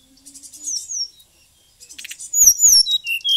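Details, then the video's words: Brown-chested jungle flycatcher from Bali singing vigorously with a full repertoire of learned phrases: high, clear whistled notes that slide up and down, grouped into quick bursts after a brief pause, with a few short chattering notes. "srdc gacor full isian"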